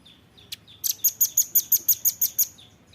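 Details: Velvet-fronted nuthatch in a tutor recording used to train songbirds: a few scattered soft chips, then a rapid run of about ten sharp, very high chit notes, roughly six per second, over quiet background hiss.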